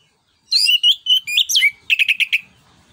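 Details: Orange-headed thrush in 'ngeplong nembak' style, song used as a lure for training other songbirds: a string of bright whistled phrases with sharp upward slides, ending in five quick rapid notes.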